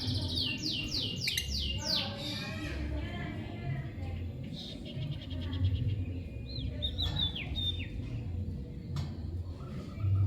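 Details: Lovebird chirping: a run of rapid descending high chirps at the start, then scattered sharper chirps and short squeaks over a steady low hum.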